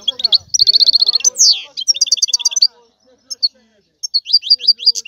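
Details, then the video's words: Lively European goldfinch song: a quick trilled run, then a sweeping downward buzz and bright chattering phrases, going quiet briefly before tinkling notes return at the end. "لا يمكنك ان تسمع اقوى من غناء هذا الحسون"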